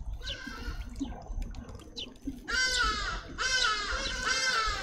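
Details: Grey-headed sparrow chicks demanding food from their parents: a few short harsh notes, then two long, loud, buzzy bursts rich in overtones, with rustling and low background noise.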